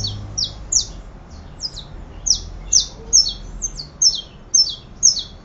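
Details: Saffron finch song of bright, high, downslurred chirps, often paired, given in a steady irregular series about twice a second, with faint low rumble behind.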